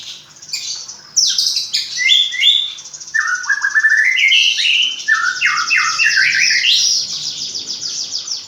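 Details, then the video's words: Hand-reared caged magpie-robin delivers a rich, varied song of mimicked fill-in phrases: quick high chirps, then a long flowing stream of descending whistles and rapid buzzy trills, sustained almost without pause. "Burung murai rawatan dari trotol hasilnya lebih maksimal isian faseh2"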